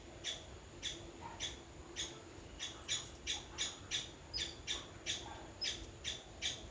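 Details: Two green parrots fighting on a food table in the jungle give harsh, broadband squawks, repeated about every half second in a steady scolding series, with faint background hum.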